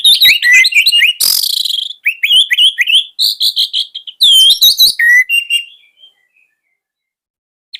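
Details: Orange-headed thrush (anis merah), caged and kept to tutor young birds, pours out a fast, varied jumble of whistles, buzzy rasps and chattering notes for about six seconds before falling quiet.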